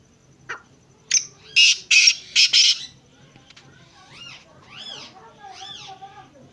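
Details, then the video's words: Black francolin calling: a run of loud, harsh, rasping bursts in quick succession, followed by quieter arched whistled notes repeated about three times. "kala tetar awaz | kala teetar calling"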